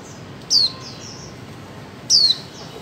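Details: Two loud, high chirps from a female white-eye, each sliding sharply downward, about one and a half seconds apart, with faint high slurred notes between them; the calling is used to prompt mute birds to sing.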